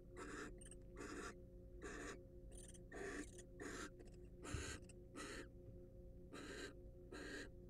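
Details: Wild barn owl in a monitored nest box: irregular rasping hiss bursts, some doubled, with brief scratchy squeaks and a soft thump between them.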